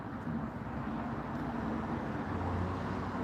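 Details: Low rumbling road traffic and passing vehicles outdoors, with no animal voices.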